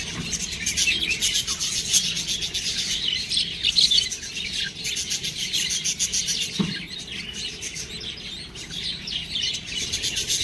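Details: Baby budgerigars twitter busily in a thick chorus of shrill, rapid chirps that swell and fade, with one sharp click-like note partway through.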